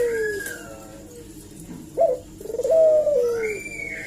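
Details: Collared dove giving a lure call to provoke an answer. After a quiet stretch comes a sudden upward note, then a rolling coo that slides down gradually. Higher whistled slurs from another bird are heard at the start and end.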